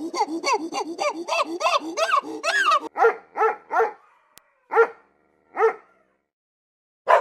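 A goose gives a fast burst of harsh, nasal honks for nearly three seconds, then slower single honks about a second apart.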